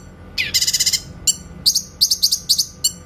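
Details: Grey-cheeked bulbul in a clear 'tembakan' song used as a training recording for white-rumped shamas: a rapid buzzy burst of about seven pulses, then single sharp notes and a run of quick, bright, high whistled chips.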